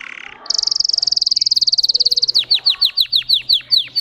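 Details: Russian canary, a singing breed with high tone variations: a brief low buzz, then a fast, even high trill lasting about two seconds, followed by loud, sharply falling whistled notes at a slower pace.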